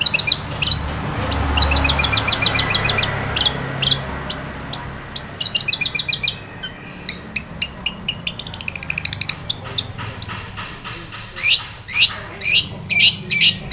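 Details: Long-tailed shrike in full chattering song, used as a lure to make a silent, stressed shrike start singing: rapid high chirps and trills, then sharp clicking notes repeated about twice a second, over a low background hum.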